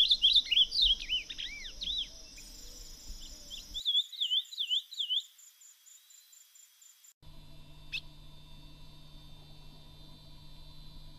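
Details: Ultramarine grosbeak singing in the wild: a quick, rich warbling phrase of rising and falling whistled notes for about four seconds, then an abrupt cut to near silence and a steady low hum with one faint click.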